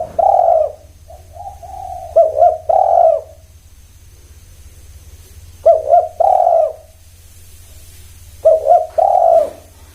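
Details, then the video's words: Spotted dove cooing in three low, mellow phrases, each a quick pair of short notes followed by a longer rolling coo, spaced a few seconds apart over a steady low hum. "Semua Tekukur Bunyi"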